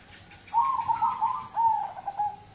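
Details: Local zebra dove song meant to prompt other birds into singing: two closely spaced, rippling coo phrases, the first longer and slightly descending, the second a shorter trill ending in a brief note.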